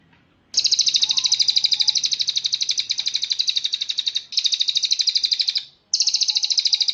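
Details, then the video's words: Crested jay master recording for training captive songbirds: repeated rattling trills of quick, evenly spaced high notes, three bursts in sequence, with faint low hum and a quiet whistle behind. "Masteran Terbaik Cililin"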